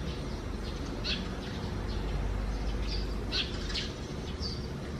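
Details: In the morning, sparrows nesting inside a holed gutter under the eaves call with several quick, high chirps spaced unevenly, over a loud low rumble; June 2020.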